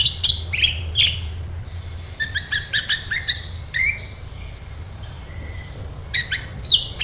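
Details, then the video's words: Sunbird singing in a lure recording for other sunbirds; loud sharp high notes, then bursts of fast twittering and a thin drawn-out whistle, over steady low hum. "SEMUA Burung KOLIBRI CUEK LANGSUNG RESPON DAN GACOR Dengan PANCINGAN INI!KOLIBRI NINJA GACOR"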